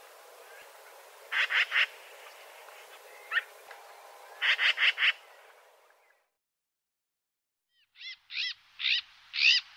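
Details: Eurasian magpie delivering short rattles of three to four harsh, clipped notes in quick succession, separated by pauses, followed by a series of four louder, more tonal squawking notes.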